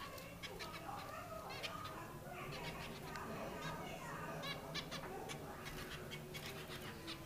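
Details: Captive zebra finches building a nest keep up a busy chatter of short, nasal, toy-trumpet beeps and chirps.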